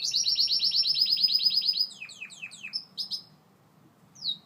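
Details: Singing Gloster canary: a loud, even, rapid trill of repeated notes for nearly two seconds, then down-slurred notes dropping steeply, a short high burst, quiet, and one final falling whistle.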